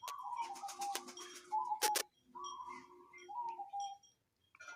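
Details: Local zebra dove with an odd call: drawn-out, slightly falling cooing notes in a few phrases, broken by sharp ticking clicks and a quiet gap near the end.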